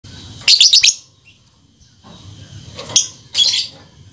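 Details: Aggressive, active lovebird giving shrill, high chirping bursts: a rapid cluster of sharp notes, a pause, then two shorter bursts about half a second apart over a faint low background rumble.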